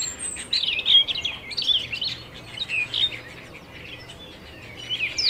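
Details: Canary singing, a bright high warbling of quick chirps and short trilled phrases, rising and falling in bursts with a soft steady hum underneath.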